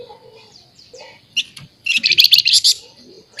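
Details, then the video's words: Noisy, talkative scaly-breasted munia: soft thin whistles early, then a loud stretch of rapid, pulsing, high-pitched chirps in quick succession. "Burung FLAMBOYAN GACOR Nyerecet Cerewet Merepet"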